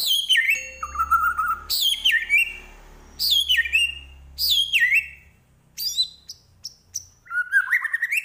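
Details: Medan white-rumped shama, Indonesia, singing a full varied song: repeated descending whistled sweeps with sharp high accents, a level whistle, and short chips between phrases, ending in rising warbles.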